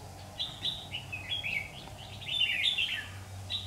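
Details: A red-whiskered bulbul lure bird sings in competition during trapping, 16 September 2019. A near-continuous run of clear, warbled whistles swoops up and down, loudest in the second half, over a low background hum.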